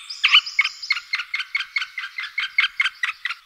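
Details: A middle spotted woodpecker (Dendrocopos medius), from a recording of its calls, male displays and male song, gives a steady series of harsh, nasal, croaking notes, about four per second, evenly spaced for several seconds.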